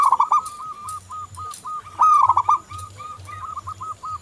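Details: Local zebra dove singing vigorously, played to draw other doves into song. Overlapping rolled coos and long series of even staccato notes, likely from several birds, with scattered clicks in the background.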